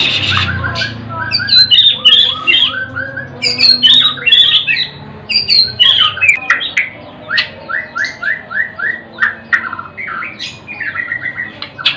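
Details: White-rumped shama in full song: rich whistled phrases falling in pitch, then a run of quick repeated whistled notes, roughly four per second, loud and clear over a quiet background.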